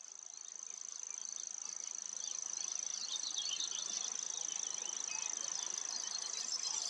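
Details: Common grasshopper warbler singing: a continuous, very high-pitched, insect-like reel of rapid mechanical ticks. It holds an even pitch throughout and grows slightly louder, with faint chirps from other birds behind it.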